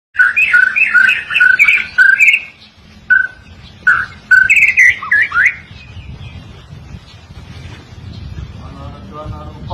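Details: White-rumped shama song used as a master recording for tutoring songbirds: loud, rich whistled notes in quick varied phrases for about five seconds, then a quiet stretch with low rumbling background and a brief buzzy trill near the end.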